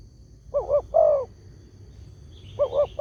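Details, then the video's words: Spotted dove lure call to draw replies from other doves: one full phrase of two quick coos and a drawn-out falling note, then a second phrase beginning at the end. "SEMUA BURUNG TEKUKUR PASTI NYAUT DENGAN SUARA INI"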